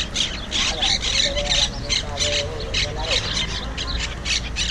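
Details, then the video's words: Wild, invasive monk parakeet, also called Quaker parrot, recorded with a GoPro 5 at Malagueta beach in Malaga. Harsh, broadband squawks repeat rapidly and irregularly, about three per second, over a steady low rumble of beach background. "Wild Parrot (Monk Parakeet) sounds"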